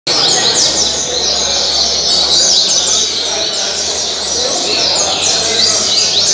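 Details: Captive double-collared seedeater (coleiro) singing the caribe style, from Mambucaba park, Angra dos Reis, Brazil, 2019–2020, credited with 226 songs; rapid high twittering phrases with sharp down-slurred notes, continuous, over a low background hum.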